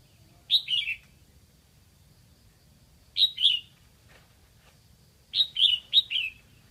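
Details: A captive decoy Red-whiskered bulbul from Lạng Sơn calls in an attempt to lure wild bulbuls, giving short, bright, warbled phrases of two to four rich notes, repeated every two to three seconds, with a faint low hum behind.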